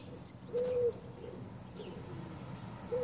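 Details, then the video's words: Common wood pigeon at sunrise giving one short, low, steady hooting coo, followed near the end by the start of a second coo, with faint high chirps of other birds behind. "Can you hear the wood pigeon?"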